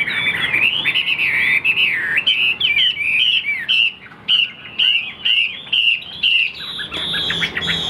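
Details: Caged Chinese hwamei of the tam hoàng (three-yellow) type, sung in the afternoon before reaching full strength: loud looping whistled phrases, short rising and falling notes repeated about twice a second, with brief pauses between bursts.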